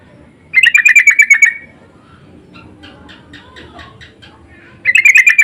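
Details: Sooty-headed bulbuls answering each other's insistent lure calls: two bursts of rapid, harsh, evenly repeated notes about four seconds apart. Softer pulsed chatter fills the gap between them.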